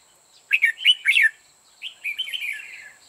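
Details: Decoy red-whiskered bulbul singing to draw others into a trap: a quick run of four loud, liquid chirped notes, a short pause, then a softer rolling warble that trails off, over a thin constant high-pitched hum.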